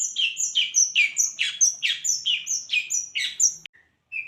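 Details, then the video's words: Champion long-tailed shrike singing mimicry of kunti panjang and tengkek, recorded as training material: a fast regular series of paired high whistles and lower buzzy notes, about two per second, then a pause and soft short notes. "Cendet nembak kunti panjang dan tengkek, masteran cendet juara"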